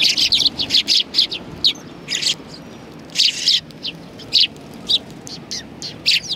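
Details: Busy chirping from several sparrows sitting on a bench at a Tenmangu shrine, 21 January 2020; sharp tweets come in tight bunches broken by brief silences.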